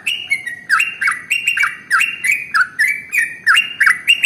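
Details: Sooty-headed bulbul (trucukan) in energetic 'ropel' song, played to train other birds to sing: repeated bubbly whistled phrases, each a quick downslur then a level note, about three per second.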